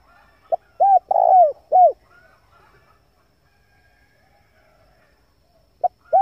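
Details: A male spotted dove, recorded to lure wild doves, gives one full low cooing phrase with a long burry middle coo. After a long pause, the next phrase begins at the very end.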